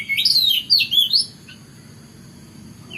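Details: Oriental magpie-robin in the morning giving a short burst of bright, swooping whistled notes with high twittering, lasting about a second before falling silent, leaving faint low background noise and one soft distant note near the end.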